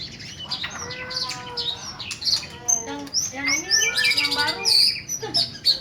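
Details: Caged white-rumped shama of the black-tailed Nias type, singing actively. It gives a rich, varied string of clear whistles, rising and falling slurs and buzzy high trills, with background music and a man talking.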